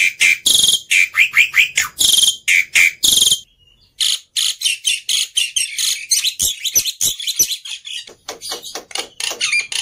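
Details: Agitated fighting Black-winged myna, kept as a tutor voice for mute starlings, pours out loud harsh grating squawks and clipped chatter in dense runs, with a brief pause near mid-clip before the scolding resumes.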